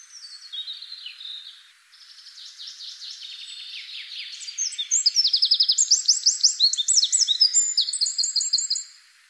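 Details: Eurasian wren in the wild pouring out a long high song, starting softly with descending sweeping notes, then growing louder into fast, tightly repeated trills and rattles.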